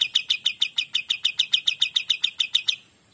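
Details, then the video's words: Kapas tembak singing lively and clearly: a fast run of bright, sharp chip notes at a steady pitch, about three or four per second, fading out at the end. Little background noise. "KAPAS TEMBAK GACOR DOR"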